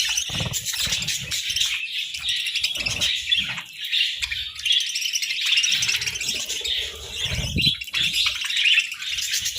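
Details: Sunbathing budgerigars chattering steadily: overlapping high, scratchy warbles and tweets run throughout, broken by soft low bumps and rustles.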